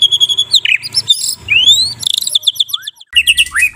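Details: Morning kretekan song of a Medan white-rumped shama, used to tutor other songbirds: a quick, varied medley of high whistles, upslurred sweeps and short buzzy note clusters with brief pauses between phrases.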